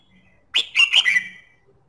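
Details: A red-whiskered bulbul gives one lively, bubbling phrase of three or four rapid slurred whistles that trail off, in otherwise quiet surroundings. The song is used to coax singing.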